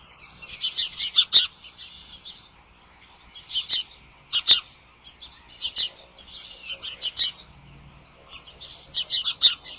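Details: Bald eagles at Sidney on the morning of 25 March 2011, picked up by a nest camera: short, harsh, high chittering bursts come in clusters every one to two seconds, with quieter songbirds twittering between them.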